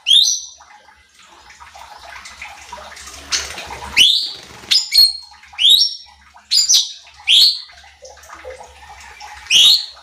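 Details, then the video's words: Cucak cungkok bulbul recorded as a lure to stir and train other competition birds: a rushing, splashing noise at the start, then loud, piercing downslurred whistles repeated in quick succession, some paired, and a final strong note. "CUCAK CUNGKOK GACOR || Pancingan Cucak Cungkok Malas Bunyi | Bikin Emosi Burung Lain"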